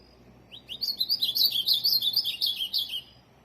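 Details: Tournament ultramarine grosbeak singing a rapid warbling phrase of about two and a half seconds, opening with two rising upslurs then a tumbling string of sweet, high slurred notes that drift slightly lower toward the end.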